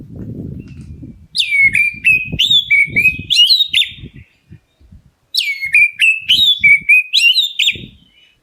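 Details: Oriental magpie-robin, black-breasted form, calling to provoke other birds into answering: two bursts of loud, sweet whistled notes with sharp upward flicks, about four per second, separated by a pause, over soft low thumps.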